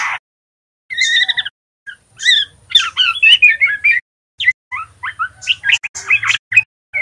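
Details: Spotted young male white-rumped shama practising its song: a doubled warbled note, then quick jumbled whistles, chirps and slurred twitters in loose bursts separated by short silences.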